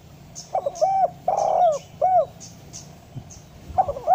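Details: Spotted dove call, used as a master recording to make reluctant doves call; short hollow coos lead into a long purring coo and a closing short note, then a new phrase begins, with faint high chirps and a low hum.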